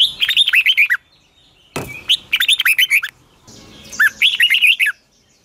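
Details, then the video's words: Morning song of a red-whiskered bulbul, 'long twisted double voice' style, used for bird training: three quick phrases of cheerful downslurred whistles, with one sharp click between the first and second phrases. "Luyện chào mào hót sáng 2020, Giọng kép xoắn dài Quá hay"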